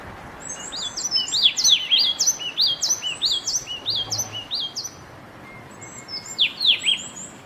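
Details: Yellow tit recorded in Bogor: quick repeated high notes that sweep sharply down, delivered in a steady run of about a dozen, a short pause, then another brief burst of the same falling notes.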